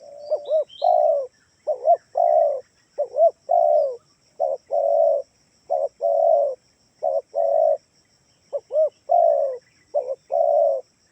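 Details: Spotted dove of the Kalimantan type used as a lure call to make other doves answer: low hollow coos in phrases of two short rising notes then one long drawn coo, repeated steadily for about eleven seconds, quiet background.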